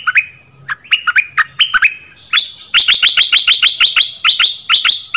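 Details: Dok Taeng bird singing, kept to teach young birds and rouse them; a few spaced hooked chirps, then a fast even run of sharp high notes repeated more than twice a second, over a constant thin high tone.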